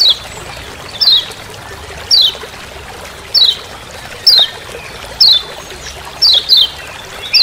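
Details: Lemon-bellied white-eye from Lombok calling ciak ciak in the forest, master sound: a single sharp high downslurred chip repeated about every second, occasionally doubled, over constant trickling hiss.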